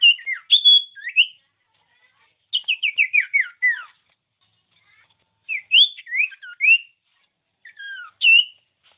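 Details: Common iora song for prompting silent birds to sing: short bursts of twisting whistles and rapid falling chirp series, each phrase separated by about a second of silence.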